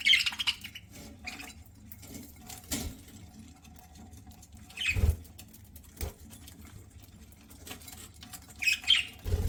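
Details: Budgie kept as a pet, eating: brief sharp chirps at the start, middle and near the end, mixed with seed-cracking clicks, taps and low thumps from the feeding bird.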